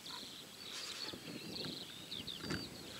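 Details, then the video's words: Corn bunting singing at Julków on 28 May 2017: high, jangling song, a dry rattle of thin notes, over steady background rumble like distant traffic. "Corn Bunting / Potrzeszcz"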